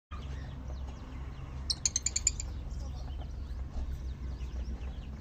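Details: A pair of Moroccan rosy-faced lovebirds gives a quick burst of about six shrill, high chirps, with softer scattered twitters, over a steady low mechanical hum.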